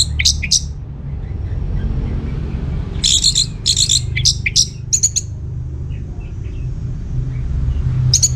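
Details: Orange-headed thrush singing vigorously, played as a lure to make other birds answer: bursts of rich, rapid, high notes at the start, mid-clip and end, with gaps between, over a steady low hum.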